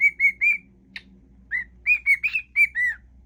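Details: Whistling pet cockatiel performing a song mash-up: a short tonal phrase, a brief harsh chip, then more clear whistles with rising and falling slurs.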